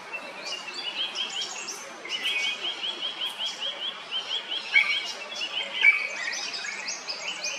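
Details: Drongo in Kerala, India, gives quick runs of bright, metallic chirps and sharp high notes in short bursts, against a busy background of other birdsong.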